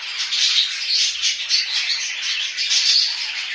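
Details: Pet budgerigars chatter loudly in quick pulsing phrases of buzzy warbles and thin squeaks, the rhythm swelling and dipping roughly every half second.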